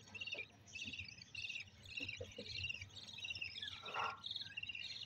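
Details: Budgerigars breeding for the first time, around egg-laying, chatter in fast, scratchy, high chirps and warbles that overlap almost without pause.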